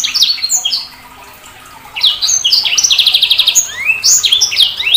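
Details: Sanger bird twittering in high sharp notes, pausing, then producing a fast rattling trill of evenly repeated buzzy notes followed by rising whistled slurs.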